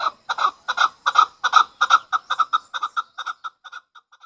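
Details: Chukar partridge used as a hunter bird: a rhythmic string of clucking chuk notes, loud at first and then slowly fading and thinning out to soft isolated notes.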